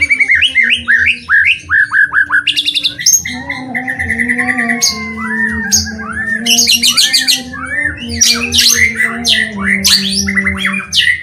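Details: Loud, varied white-rumped shama song for stirring other shamas to sing: fast repeated whistles, high sharp chattering bursts and sweeping slurred notes packed tightly together, with a low droning hum throughout.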